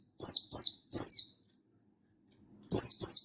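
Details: Mountain white-eye summoning a rival, dated 16/8/22: three rapid high notes sliding downward, a one-second pause, then two more loud falling chirps.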